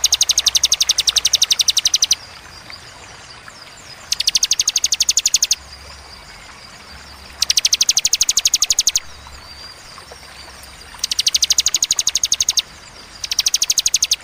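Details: Rapid, high-pitched note series from a bar-winged prinia, given as the clear, spaced 'tembakan' style: five bursts of quick, ticking notes, each about one to two seconds long, divided by quiet gaps of roughly two seconds.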